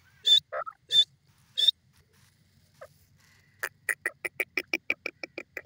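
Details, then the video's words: Grey francolin (dakni teetar) calling: a few harsh, nasal notes, then a quick run of sharp, clipped notes repeated about six times a second, each one ringing and high-pitched, with a quiet gap between the two parts. "beautiful voice of dakni teetar lovely teeter ki awaz"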